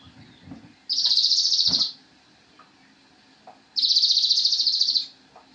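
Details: Master song of a Javan cochoa for tutoring cage birds: two high, dry, buzzing trills of about one second each, separated by a pause of roughly three seconds with soft clicks between.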